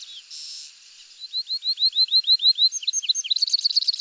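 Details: Morelet's seedeater, after a short harsh burst, delivers a steady run of about ten upslurred whistles, some dropping notes, and a fast buzzy chattering trill at the close.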